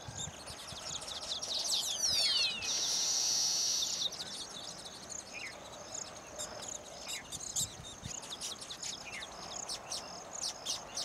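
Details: Male baya weaver chorus at completed nests, dancing to draw females in to inspect them; falling whistled sweeps lead into a steady wheezing buzz, followed by sparse rhythmic high ticks repeated about four times a second.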